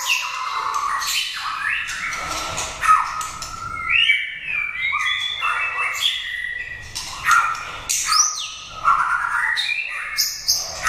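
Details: A prize-winning caged white-rumped shama pours out a rich, varied song of clear whistles, rising and falling slurs and harsh squawky notes, almost without pause.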